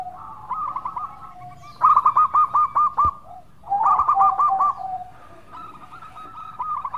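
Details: Lively, sweet song of a local zebra dove, played as a lure: a rolling coo phrase, then a loud run of about seven evenly spaced staccato notes, another burst of rapid coos, and a fading trill.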